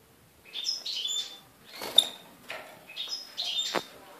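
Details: European goldfinches just out of the nest being fed by an adult, five birds in captivity; bright twittering and tinkling chirps in short bursts, with brief rustling.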